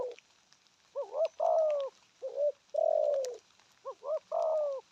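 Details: Spotted dove cooing rapidly. Short doubled upslurred notes lead into long, full, downward-sloping coos. The pattern repeats about every second and a half.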